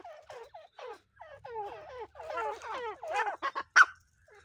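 Grey francolins calling in a pair: a quick, cackling run of harsh, bending notes that builds in loudness and ends in a few sharp, loud shrieks.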